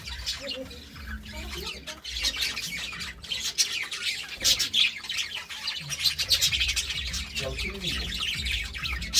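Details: A pair of budgerigars kept as pet birds, giving dense, overlapping high chirps and squeaky twitters that run almost without pause, over steady low background rumble.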